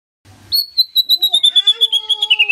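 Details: White-rumped shama song played to trigger a response from a silent bird, heard as a long, rapidly pulsed, ringing trill that slides gently downward over two seconds.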